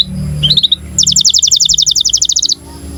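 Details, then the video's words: A canary in breeding condition sings a training song for young birds: a few quick paired chirps, then an even, rapid trill of about twenty crisp double notes lasting over a second, with a low hum beneath. "KENARI GACOR Cuit CUIT BIRAHI UNTUK PANCINGAN & MASTERAN Kenari PAUD AGAR BUNYI DAN NGEROL"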